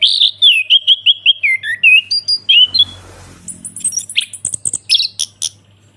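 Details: Anis kembang (Chestnut-capped thrush) ngeplong song: a repeated series of about a dozen falling whistled notes, a soft rustling pause, then very high thin whistles and sharp scratchy chips, all loud and close.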